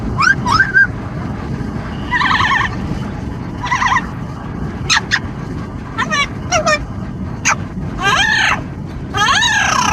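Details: Amazon parrot on a car commute, calling into the wind: short sharp squawks, buzzy harsh bursts and a few whistled slurs, spaced irregularly over ten seconds against constant road and wind noise.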